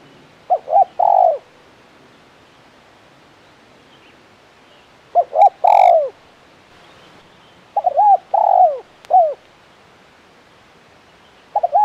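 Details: Spotted dove (tekukur) calling in the KUK 1 style, phrases of short coos and a long falling coo recurring at uneven intervals, one phrase with extra trailing notes, plus a sharp click and faint high chirps.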